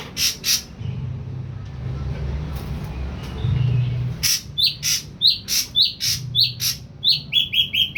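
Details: Caged young wild-caught ashy drongo, three weeks in captivity, fully on pellet food and just beginning to sing. It gives short, high, sharp chirps, first a pair, then a rapid irregular series over a steady low hum.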